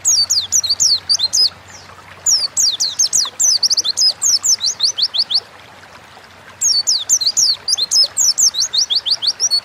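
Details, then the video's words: Lively gacor ngalas song of an Oriental white-eye, played as a lure to make birds sing: bursts of fast, high, squeaky twittering notes, broken by short pauses near two seconds and a longer silence around six seconds. "Burung pleci gacor ngalas pancingan bahan agar cepat bunyi"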